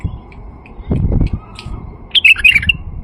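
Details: Song of a male white-eared bulbul used as a lure to attract bulbuls: after soft thumps and handling noise, a short burst of rich, bubbling whistled notes near the end.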